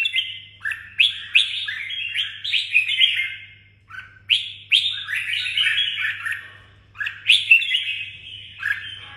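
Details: A caged red-whiskered bulbul from Đồng Nai pours out clear, sweet whistled phrases, each opening with a sharp note and then tumbling through quick warbles, three main bursts with short pauses, faint hum behind.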